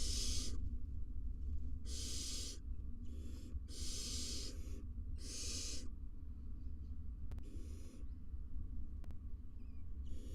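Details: Inside an Israeli barn owl nest box, the adult male interacts gently with his chicks as loud rasping hisses come in five strong bursts over six seconds, then fainter, sparser ones, with constant low background rumble.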